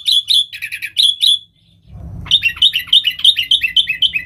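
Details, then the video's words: Lure song of a sooty-headed bulbul, 'nggaruda' style, for wild bulbuls: a handful of bright chirps, a short silence with a soft thump, then a quick steady string of bubbly repeated notes. "Suara Burung KUTILANG GACOR Nggaruda Super Ampuh Untuk Suara Panggilan Burung Kutilang Liar"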